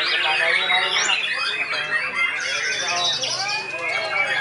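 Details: Seven-month-old white-rumped shama at the Police Cup 1 singing contest, delivering a barrage of sharp shot notes; fast, varied, overlapping whistles and chips with a few clear tonal notes, other contest birds and voices of people in the crowd.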